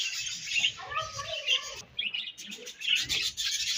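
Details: Budgerigars chattering as they eat: overlapping high chirps, warbles and buzzy notes run almost without break, with a few lower mumbled tones and faint background rustle.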